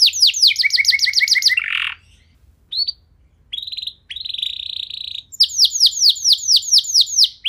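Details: Canary song meant to spur other canaries into singing, fast 'nembak' style: a quick high trill dropping to a lower rattle, a short buzzy burst, broken whistled fragments with pauses, then a run of downslurred notes.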